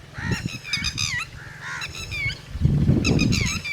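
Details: Red-wattled lapwing, locally called tateri, near its chicks: loud, strident, harmonic notes in quick bursts, each with a sharp bending sweep, in two groups with a pause between. Low rumbling handling or wind noise runs underneath.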